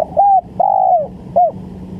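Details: Spotted dove cooing, played as a lure for bird trapping: a short arched coo, a longer drawn-out coo sliding down at the end, then another short coo, over a steady low hum.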